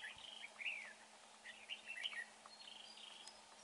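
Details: Red-whiskered bulbul singing in a trapping setup, giving short warbled whistled phrases rising and falling, a few bursts across the stretch over faint background hiss.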